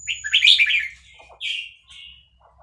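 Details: Caged Vietnamese red-whiskered bulbul, stirred by a played recording of hatched chicks, gives a loud rapid burst of bright chirping notes, then two shorter descending phrases over a low background hum.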